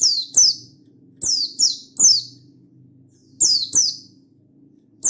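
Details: Mountain white-eye of the buxtoni type, 16/8/22, singing gacor ngalas to call a rival and stir other white-eyes into song: shrill falling chirps mostly in quick pairs, about eight notes, with a faint low hum beneath.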